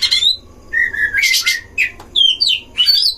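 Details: Oriental magpie-robin song from a duel inside a breeding enclosure, used as a lure to rile other magpie-robins: a short run of clear whistles, a level held note, raspy bursts and rising slurred phrases.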